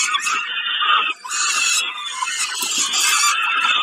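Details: Peregrine falcon, Kawęczyn, 20 May 2022, at a snack: loud rasping cries nearly unbroken, one short silence early on, tone coarse and piercing.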